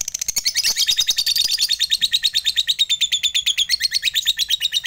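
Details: Fighter lovebird in long 'ngekek panjang' chatter, meant to call rivals and wake silent lovebirds into song. A steady, shrill stream of rapid notes runs the whole time, pitch wavering slightly up and down.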